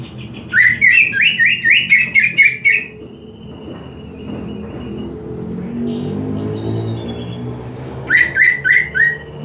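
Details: Greater green leafbird, presented as training (master) audio: a fast run of about ten bright, ringing chip-notes, repeated after a pause, with softer high whistles between and a low hum behind.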